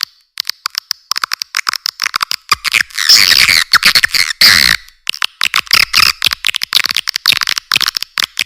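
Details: Swiftlet lure call played to attract and draw a response from swiftlets: dense bursts of harsh, buzzy high chirps and rapid clicking trills, broken by short silences, with a thick stretch of overlapping chatter in the middle.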